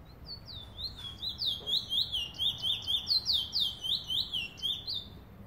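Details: Rapid, sustained song of the chestnut-bellied seed finch, called bullfinch in Trinidad, 2018 recording: bright swooping whistles strung together at about two per second, rising and falling steadily over quiet background.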